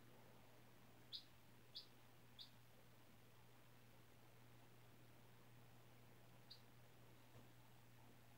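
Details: Four-day-old chicken chick, hatched from a white egg in a school incubator, on freshly changed bedding indoors: a few short, high, sharp peeps, three close together then one later, over a steady low hum.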